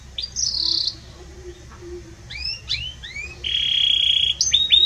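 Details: Belgian canary singing with a strong, warm voice: a short buzzy trill, a cluster of quick upward-curving whistles, then a steady flat trill and sharp closing notes.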